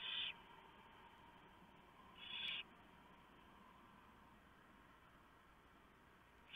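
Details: Barn owl nest at 3:59 AM, 3 November 2015, with the male delivering a large mouse for the owlets; two short raspy hisses about two seconds apart, then a third starting at the end, over a steady hiss of background noise.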